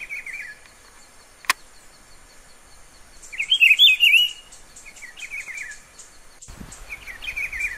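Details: A rufous-browed peppershrike (Cyclarhis gujanensis), camouflaged in vegetation in Pernambuco, Brazil, sings short, rich warbled phrases with one fuller burst in the middle. A faint high insect hiss, a sharp click and a thump are also heard.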